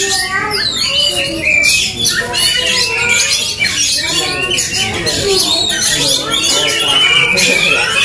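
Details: Oriental magpie-robins dueling aggressively, kept birds provoked to fight, trading loud tangled whistles, slurred rising notes and harsh chattering squawks nonstop, with faint human voices underneath.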